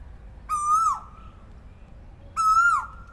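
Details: Morning call of an Asian koel: two loud, clear 'kooo' notes, each gently rising and falling away at the end, spaced nearly two seconds apart against a quiet backdrop.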